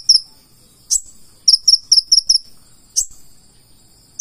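A Purple-throated sunbird gives thin, very high chirps in a quick run of five or six notes, broken by a couple of sharper, louder buzzy notes.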